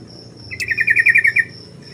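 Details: Sooty-headed bulbul, a tame lure bird used for training other birds, gives a short burst of bubbly, chattering notes around the middle of the clip, with a steady high insect-like whine running behind it.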